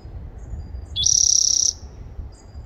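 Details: Spotted towhee on 30 April 2021 delivers one dry, rapidly pulsed buzzy trill lasting under a second, started by a brief lower note, over a soft low background rumble.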